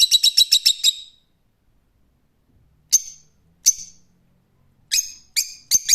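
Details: A quick volley of seven shrill notes opens, followed by a pause and then single and paired piercing screeches from a rose-ringed parakeet.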